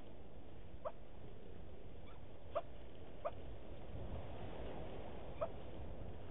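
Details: At a waterhole in Djuma Private Game Reserve, Greater Kruger, South Africa, on 25 October 2017, a red-billed hornbill gives four short, hollow clucking notes spaced unevenly over several seconds, over a steady low rumble of wind.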